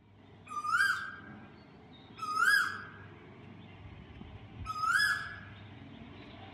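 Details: Asian koel calling in Dehradun: three loud, clear, rising whistled notes, each swelling then cut off, spaced roughly two seconds apart over a steady low background hum.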